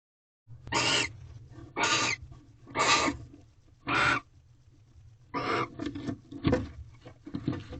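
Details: Wild barn owls at a nest box on the second night of mating, 18 February 2023 at 8:19 pm, as a third mouse is delivered; harsh, breathy hisses about a third of a second long, four evenly spaced, then softer, choppier rasps.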